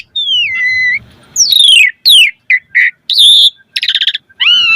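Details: Asian pied starling (jalak suren) song opening with a falling whistle, then descending sweeps, short buzzy notes and rattling bursts, faint low hum behind.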